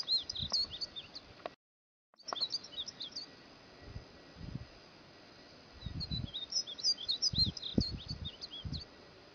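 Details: Cut-throat finch song prepared as a training recording for songbirds: rapid strings of high, squeaky, chattering notes in bursts, broken by a brief silent gap, with low thumping noises underneath.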